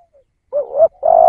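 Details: Spotted dove decoy call fragment: a wavering two-part low note that climbs, then a steady drawn-out coo cut off at the end.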